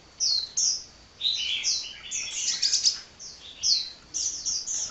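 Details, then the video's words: Sunbird (kolibri) singing without a break, thin high twittering in quick bursts of sharp chirps and short trills, separated by brief pauses. "Kicau Burung Kolibri Ngocehnya Ngedyan Ra Leren Leren"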